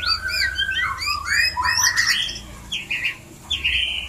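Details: White-rumped shama calling to trigger breeding: rich, rapidly changing whistled and slurred notes with high chirps, ending in shorter repeated phrases, a constant low background hum underneath.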